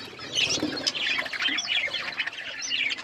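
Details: Pet budgies chirping while eating food: a steady stream of scratchy, warbling chirps with quick rising and falling notes, mixed with soft rustling.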